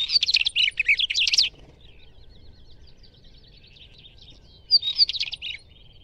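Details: Song of a Northern wheatear: a rapid, scratchy warbling phrase of crackling and whistled notes lasting over a second, a long pause with faint distant notes, then a second, shorter burst; low background rumble.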